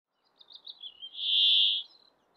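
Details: Male brambling in breeding plumage singing in Abisko National Park, northern Swedish Lapland, on June 24, 2022, wind noise reduced: a few soft chirps, then one long, wheezy buzz held nearly a second before fading.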